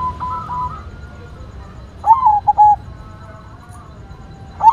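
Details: White zebra dove singing: a soft wavering tone at the start, then one clear phrase of a rising note and three quick short coos, and the start of another phrase at the close.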